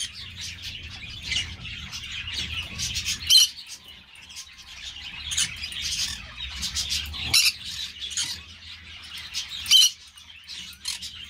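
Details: Green-cheeked parakeets (Pyrrhura molinae) kept by an amateur breeder, with soft, scratchy chattering throughout and a few sharp, loud screechy notes spaced several seconds apart.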